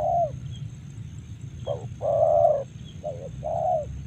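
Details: Spotted dove in Karawang giving a few soft coos, one long, drawn-out note flanked by shorter clipped ones, with quiet gaps and a steady low hum behind.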